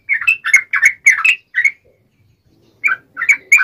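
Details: Yellow-vented bulbul in wild-style fighting song, uplik ropel type, aimed at getting other bulbuls to respond; about six throaty, bubbling notes, a pause, then three more.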